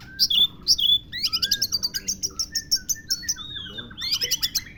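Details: Oriental magpie-robin (kacer) singing a song stuffed with lovebird imitations: loud, fast series of sharp high chirps and whistled notes, many short repeated bursts, some descending slurred whistles, steady low hum behind.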